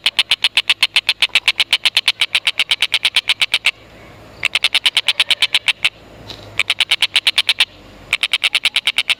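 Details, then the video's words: Tengkek buto, an Indonesian native bird, used as a lure to get lovebirds chattering: rapid, even run of sharp 'kek' notes, several per second, broken by short pauses and starting again. "Tengkek Buto Gacor Masteran Burung Lovebird"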